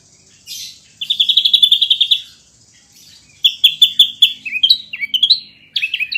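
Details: Ashy drongo singing vigorously as a training model for champion birds. A short buzzy burst, then a rapid run of high chips, a pause, and a varied ending of clipped notes and short downslurred whistles.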